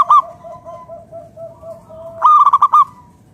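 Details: Vigorous local zebra dove used to coax other doves into song: a short burst of coo, then a run of soft even cooing notes from another bird, ending in a loud rapid stuttering coo phrase.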